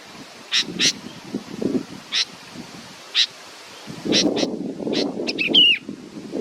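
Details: Young bird waiting for its mother gives short, high chirps spaced about a second apart, ending in a wavering, falling squeal, over steady low rustling and rumbling noise.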